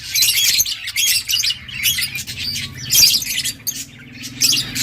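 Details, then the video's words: Pet budgerigar chicks being fed by their parents during breeding: harsh, raspy high bursts of begging calls in short pulses, roughly once a second, with brief pauses between them. "Budgies feeding chicks"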